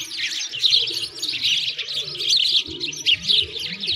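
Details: Flock of sparrows chattering by a frozen lake in a Moscow park in winter, Russia; rapid, jumbled high chirps overlap without pause, over soft low-pitched rumbling in the background.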